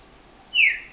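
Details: Captive green-winged saltator (Saltator similis) song, strong and loud: a single clear, loud whistled note sliding downward after a quiet start.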